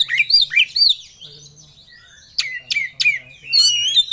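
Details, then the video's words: Ngobra song of an Oriental magpie-robin looking for a rival: arched whistled notes repeated in a quick series, a pause, then sharp downslurred chips and a climbing whistled ending. "Kacer Ngobra Cari Lawan || Full Emosi Materi Joss"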